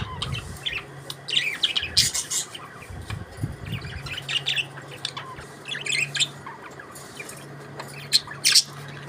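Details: A group of budgies chatters and sings: rough warbles, short squawks and bright chirps in uneven bursts, with a faint flutter of wings and a low, steady hum behind them.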